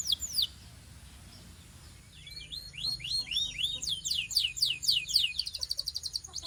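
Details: Belgian canary warming up, opening with a few high notes, then after a pause a run of rapid downward-sweeping whistles building into a dense, quick trill.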